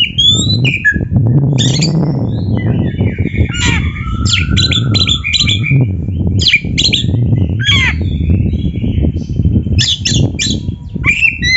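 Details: Oriental magpie-robin singing on a training recording for caged birds. Chips, whistles and harsh notes are partly masked by a steady low rumbling noise throughout.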